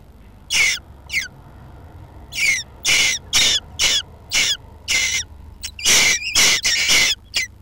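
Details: Jackdaws nesting under a roof give short, harsh, clipped calls, about a dozen bursts spread unevenly through the recording, some quick pairs, over a faint low hum.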